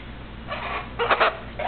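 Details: Pet Eleonora cockatoo indoors, talking and whistling; harsh, voice-like syllables with two loud bursts, amid household sound and human speech of "hi pretty bird".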